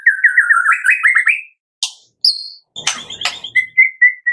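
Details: White-rumped shama in a morning recording used to stimulate captive birds to sing: a fast run of rising, warbled notes, then a pause, sharp clicks and harsh bursts, ending in a series of short whistled notes.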